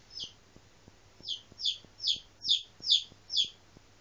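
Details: Five-day-old pet Legbar chick, the only one of its clutch to hatch, calling in distress whenever its owner leaves its sight: seven loud, high, downward-sliding peeps about every 0.4 seconds over a quiet background.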